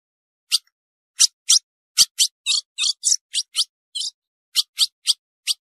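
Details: Female ultramarine grosbeak call meant to excite males: roughly fifteen crisp, high-pitched chip notes in loose clusters, some slightly longer and buzzier, separated by short silences, with one soft click in the background.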